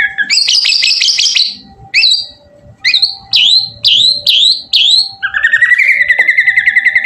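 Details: White-rumped shama song played to get other shamas to sing back: a high rattling trill, then a string of ringing, downslurred notes about twice a second, ending in a rapid, even churring trill.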